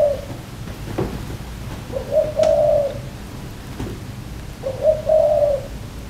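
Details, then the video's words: Asian koel, a black bird perching on front-yard plants near a tree with ripe fruit, giving two mellow rising whistled notes about three seconds apart over faint background hiss. "HOW ASIAN KOEL BIRD’S CHIRP SOUNDS LIKE AND HOW LOUD IT IS"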